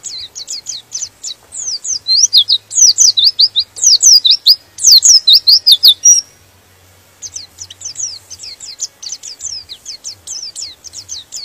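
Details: A white-eye sings to stir other white-eyes into song. Fast, high, downslurred whistles run in a long excited sequence that grows louder midway, briefly stops, then resumes with quicker, lighter notes.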